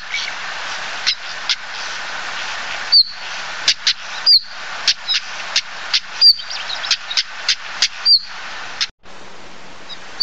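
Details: Common Stonechat (Saxicola torquatus) giving a long run of sharp, stone-like clicks about every half second, broken by four thin, down-slurred whistles, against steady background hiss.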